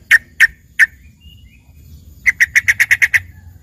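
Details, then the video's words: Yellow-vented bulbul (trucukan) as a filler song for training a green leafbird: three sharp, separate chipping notes, a pause, then a quick run of eight clipped notes. The background is quiet with a faint low hum. "dengerin suara trucukan isian ini serasa bagai punya burung cucak ijo gacor"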